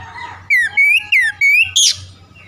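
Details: Oriental magpie-robin morning lure song, meant to spur a sluggish bird into full singing: five loud, clear whistled notes, some rising and some falling, in quick succession, ending in a sharp high burst over a faint low hum.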